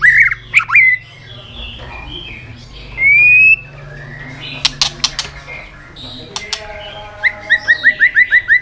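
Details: White-rumped shama, singing with tail-flicking display to spur other shamas: a few warbled notes and one clean rising whistle, sharp clicks in the middle, then a rapid evenly spaced series of short whistled notes.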